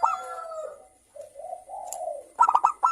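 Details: Local zebra dove with a crystal-clear voice, used as a lure to get other doves singing. Drawn-out soft coos and low murmuring lead into a short burst of quick ringing notes at the end.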